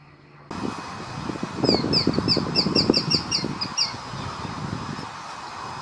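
A young Little Sparrowhawk gives about a dozen high, sharp notes, four or five a second, over a low rumble of wind or handling noise.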